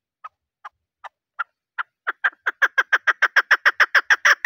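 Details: Female chukar calling, a voice used in hunting to draw males, which answer it: hoarse clucking notes start slowly and singly, then speed up into a fast, loud, regular chuk-chuk run.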